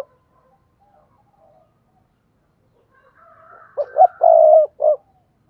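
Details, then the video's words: Spotted dove coo played to stimulate silent doves into calling: near-silence, then a soft murmur rising into one loud phrase of a short note, a long burry coo and a closing note. "tiếng cu gáy thúc bổi"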